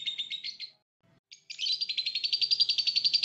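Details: Lovebird training song (masteran): a short burst of fast, high twittering, a moment of silence, then a dense, rising chatter of rapid buzzy notes that grows louder toward the end.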